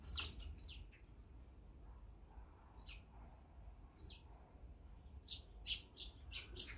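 Eurasian tree sparrows give short, bright chirps at irregular intervals, some in quick pairs, over a steady low rumble.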